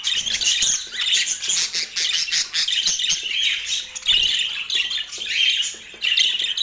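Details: Steady, crowded budgerigar twittering from pet birds in Portland: high chirps, scratchy squawks and rapid warbles run without a break.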